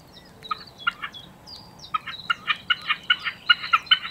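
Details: Common snipe singing: after a few faint thin whistles, a regular series of dry, ticking double notes builds steadily louder, repeated roughly every half second.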